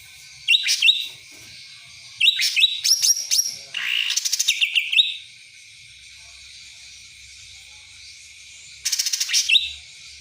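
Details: Black-headed Bulbul (cucak ranting) singing in a song style that sounds like the kapas tembak; loud bursts of rapid, sharp chattering notes with some high whistles, four phrases separated by pauses, in an otherwise quiet setting.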